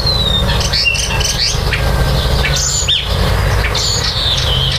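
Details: During nesting, common starlings utter a busy jumble of short squawky notes, buzzy chirps and brief whistles in rapid irregular succession, with a low engine-like hum throughout.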